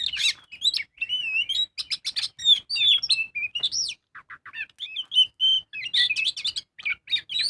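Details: Magpie-robin (kacer) in full ngobra song, played as a lure to get birds singing: loud, fast, varied phrases of sweet whistles, upswept and looping notes and scratchy chatter, delivered almost without pause.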